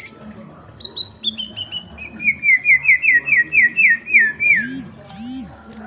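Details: Young white-rumped shama, seven months old, singing in the ngriwik style: a rapid run of clear whistled notes that step down from high to mid pitch, about two per second, then a falling flourish. Quiet low hum behind.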